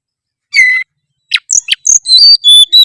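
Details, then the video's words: Gacor song of an oriental magpie-robin: a single falling whistle, a pause, then rapid harsh chatters leading into a string of clear high whistled notes. "pasti respon denger suara kacer gacor satu ini"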